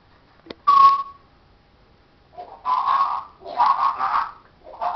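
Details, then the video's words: Talking parrot mimicking speech, said to say "hello darling": a short, pure whistled note, then a pause and several husky, voice-like syllables in bursts of about half a second, in a quiet indoor setting. "parrots says hello darling"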